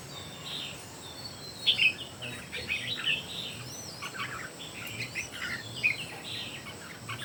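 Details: Three red-whiskered bulbuls singing in competition; short warbled phrases around the upper-middle range, scattered irregularly across the clip, fairly faint against a steady hiss and a low hum.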